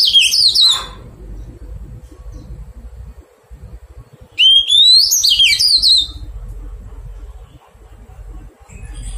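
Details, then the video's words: Captured wild Oriental magpie-robin in taming, singing two separate loud warbled whistle phrases about four seconds apart, each rising sharply and then tumbling down in rapid notes, with quiet gaps between. "Thuần hóa chòe than bổi"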